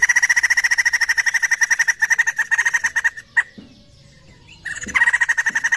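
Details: Laughingthrush (poksay) lure recording: fast pulsed chattering from the start, stopping near the midpoint with a single sharp note and a silent stretch, then the rattling series resumes.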